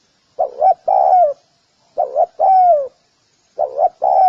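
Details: Mellow repeated call of a spotted dove: three phrases about 1.6 seconds apart, each two clipped rising notes then a sustained, downward-sliding coo, with a quiet background.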